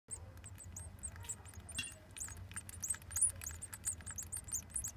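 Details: Great tit nestlings, seven days old, in the nest on 7 June 2014, give a dense, continuous chorus of thin, very high squeaks in quick succession over a low steady hum.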